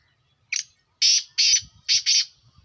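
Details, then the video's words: A black francolin gives its grating call, one brief opening note followed by two pairs of loud, coarse, buzzy bursts in quick succession, with near silence around it apart from soft low knocks. "کالا تیتر کی آواز"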